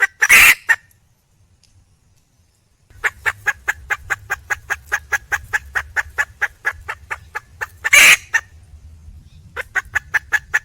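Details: Female wild red junglefowl calling for a mate: an opening harsh squawk, a silent gap, then a long rapid series of clucks interrupted by another loud squawk before the clucking continues.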